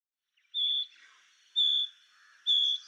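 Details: Painted bush quail giving three high, pure, level whistles, each short and spaced about a second apart, over a quiet background.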